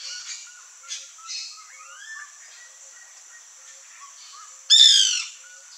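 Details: White woodpecker (Melanerpes candidus), known locally as birro or cri-cri, among backyard fruit trees: soft, faint chattering notes early on, then one loud, harsh, nasal squawking call near the end.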